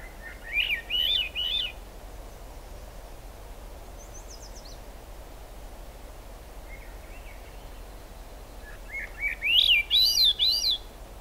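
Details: Swainson's thrush singing in the rain at the Squamish River Estuary on July 6, 2022: two breezy, flute-like phrases spiralling upward, about eight seconds apart, over steady rain hiss with a few faint high notes.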